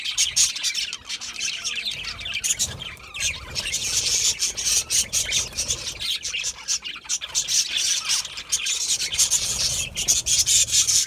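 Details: Group of budgies at a seed mix, filling the air with continuous squeaky, high-pitched chatter and squeals, loud clicks scattered throughout.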